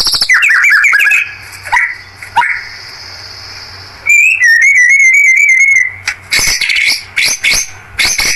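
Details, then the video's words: Lure recording of a white-rumped shama's rough rolling song used to provoke rivals: quick descending chirps, a long steady whistle, then a wavering, trilled whistle followed by bright, scattered chips. "Pancingan Murai Batu Gacor Tembakan Ngerol Kasar Bikin Lawan Langsung Emosi"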